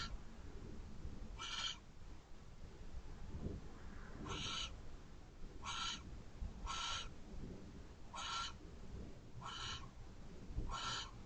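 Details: A barn owl at an owl box shortly after midnight on 4 January 2024, while one owl shoos another off the perch, gives seven harsh, rasping screeches, each brief and hissy, spaced about one to three seconds apart over low rumble.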